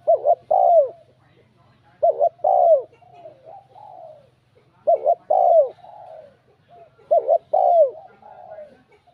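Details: Spotted dove with a bell-like voice, cooing to provoke rival males: four ringing phrases about two seconds apart, each a sharp double note, a longer falling coo and soft trailing notes, with a faint low hum behind.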